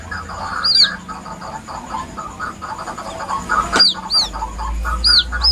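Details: Pitiful-sounding calls of a White-breasted waterhen chick used to lure birds: scattered high, thin arched peeps, some doubled, over a steady chattering background with one sharp click.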